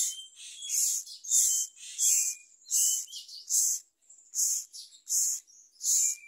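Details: Myna nestling being given a large blue caterpillar by its parent, calling with harsh, shrill rasps, about eight bursts repeated under a second apart, plus thin whistled notes between them.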